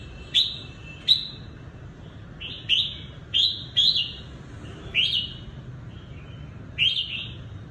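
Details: Red-whiskered bulbul decoy bird from Cao Bằng, Vietnam, used for trapping, delivering clear whistled two- and three-note phrases that rise then fall, spaced irregularly about a second apart, against a faint low rumble.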